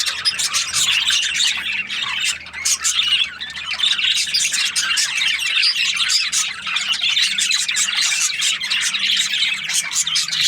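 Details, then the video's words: A busy chorus of budgies, high chirps and rasping squawks running on without a break, packed and lively. "Australian budgies parrot chirping sounds"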